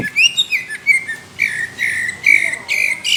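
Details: Cucak ijo (greater green leafbird) giving thick, rough whistled phrases for contest judging: short chirps opening into longer, fuller slurred whistles with a harsh edge, sung continuously.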